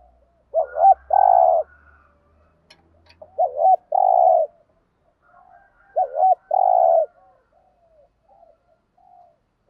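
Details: Spotted dove decoy in 'thúc gù' style, three low coo phrases spaced about two and a half seconds apart, each a brief two-part wavering note then a sustained mellow coo; faint low rumble early on.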